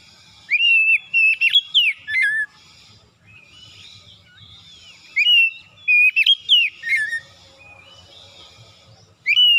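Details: Oriental magpie-robin (kacer) morning song meant to rouse reluctant birds: clusters of loud whistled notes and quick slurs every few seconds, faint soft chatter and low hum between bursts.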